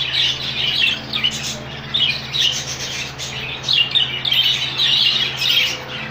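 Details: A colony of rainbow budgies keeps up a steady stream of squeaky chirps and warbling notes, many birds calling over one another, with a low hum underneath.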